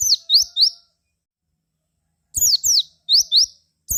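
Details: Javan white-eye song played to prompt other white-eyes to respond: high, thin, rapid chirps in short bursts of two to four notes, some sweeping down and others rising, separated by a silent gap.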